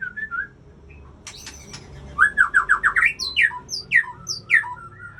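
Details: Aceh white-rumped shama song: a brief whistle, clicks, then a fast series of rising rich whistles followed by three loud sweeping slurred phrases, each rising high and dropping.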